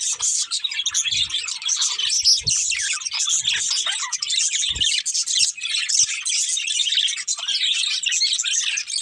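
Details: Colourful budgies, a breeding pair, chirping: rapid high-pitched twittering and squeaky chatter fill the whole stretch, with a few sharp squawks and occasional faint knocks.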